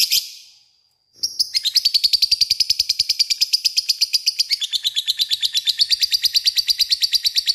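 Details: Lovebird singing a long ngekek chatter, used as a lure to call a rival: one brief high note, a second's pause, then an unbroken run of rapid, sharp, even chips, about seven a second, high-pitched and slightly falling midway.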